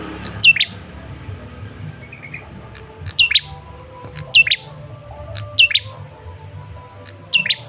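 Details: Male rufous-fronted prinia-type tailorbird (Prenjak Kepala Merah) lure call meant to provoke a response: sharp hooked chirps at high pitch, repeated about every 1.5 seconds, over a low steady background hum.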